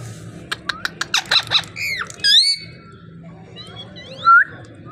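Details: Parrot in a talking display: a quick series of clicks and buzzy syllables, curving chirps, a loud rising squeal, then soft high twitters and one clear short whistle, a faint hum behind.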